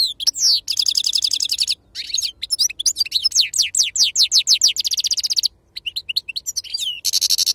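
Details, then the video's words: Authentic khalwi sarfati song of a goldfinch: long, lively sequence of high sweeping notes and rapid trills, brief pauses between phrases, ending on a bright buzzy rattle. "أفضل تغريد بندوق حسون خلوي أصيل الله يبارك لصحابو ما شاء الله لغه خلوي أصيل سرفاتي"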